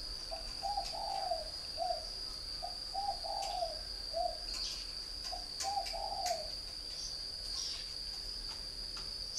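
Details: Caged three-year decoy spotted dove from northern Vietnam repeating mellow, low cooing phrases of two or three notes in quick succession over nine seconds, backed by a steady shrill insect-like drone and occasional clicks.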